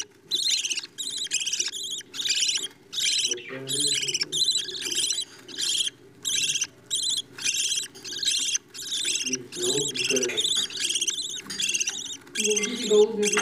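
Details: Budgerigar parents feed their chicks as the young call in regular rhythmic series of short harsh rattling rasps, about one burst per second over the whole stretch, with occasional soft lower chatter.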